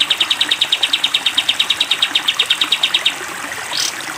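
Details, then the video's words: Sooty-headed bulbul delivering a 'tembak panjang' burst for cage-bird training: about three seconds of rapid, evenly spaced high notes, then a single short rising chirp against continuous hiss. "masteran kapas tembak panjang"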